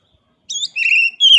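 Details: Oriental magpie-robin (kacer) singing, offered as a master recording for training other kacer to sing: a short run of clear whistled notes, a sustained mid-pitched whistle, then a sharp high downslurred note, with a silent background.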